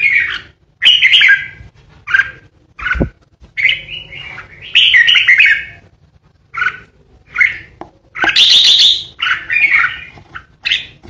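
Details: Red-whiskered bulbul decoy bird singing ché over a long stretch: many short bright warbled phrases with brief gaps, sharp clicks, and a harsh shrill chattering burst near the end.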